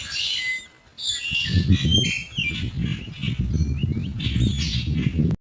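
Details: Common myna adults foraging for insects to feed their young, giving a varied run of sharp whistles, chirps and squawky notes, several upslurred, over a steady low rumble of wind or handling noise.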